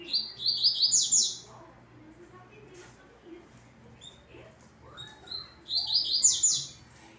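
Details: Caged double-collared seedeater, finishing its moult, singing a very fast high phrase of rapid buzzy trilled notes, repeated twice with a pause between, faint background hum.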